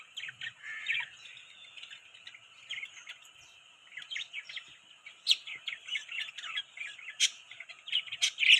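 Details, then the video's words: Budgerigars chatter in a busy stream of short, scratchy chirps and warbles, several birds overlapping, with sharper clicks and squeaks breaking through. "Beautiful Budgies Chirping Sound"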